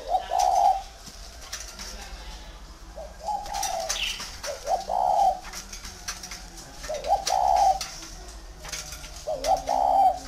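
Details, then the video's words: Spotted dove, a big tame bird kept at a dove garden in Ba Vì, northern Vietnam, uttering soft rising-then-level coos spaced a few seconds apart amid scattered clicks and light rustling. "CHIM CU TO THUẦN KHÁCH"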